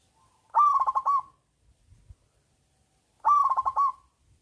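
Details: Local zebra dove with a big voice, used as a singing lure: two pulsed, rolling cooing phrases about three seconds apart, with faint low thumps in the gap.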